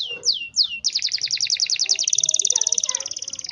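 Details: Canary kept in Pemalang, Central Java, Indonesia, singing in a long-duration song style: three loud whistled notes sliding downward, then a fast, even trill of bright high notes that keeps going to the end.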